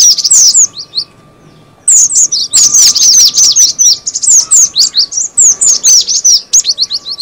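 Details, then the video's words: Cinereous tit call used as a lure: dense, rapid, high chirps with sharp downslurred notes, crowded together and overlapping, with a short silent gap near the start before the chatter resumes steadily. "suara pikat burung gelatik batu"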